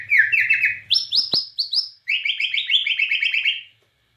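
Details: Bornean white-rumped shama song of the 'nembak cililin' kind: rapid clusters of downslurred notes, a jump to a higher run of repeated whistles broken by a click, then a chattering series of quick, evenly repeated notes.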